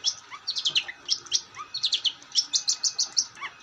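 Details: Long-tailed shrike singing busily, delivering fast, squeaky, twittering high notes in quick clusters, with a few lower upslurred chirps mixed in.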